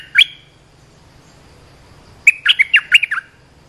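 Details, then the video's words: Olive-winged bulbul call meant to train young birds and lure wild birds: a single sharp note, a two-second pause, then a tumbling run of about seven bubbly, warbled notes. "เสียงนกดอกแตงEp.248 เปิดหัดลูกเสอ ลูกใบ้ เสียงเรียกนกป่า Suara pikat merbah lekir gacor"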